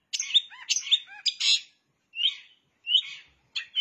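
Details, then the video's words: Long-tailed shrike singing with mimicked bar-winged prinia phrases: a quick burst of sharp chirps and squeaky notes, then three short separate chirped phrases spaced under a second apart. "Cendet Gacor isian CIBLEK"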